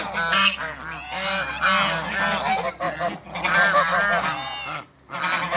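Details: Backyard flock of African and Toulouse geese calling loudly, harsh nasal honks in quick overlapping bursts, with brief lulls near three seconds and again just before five seconds, over a faint steady hum.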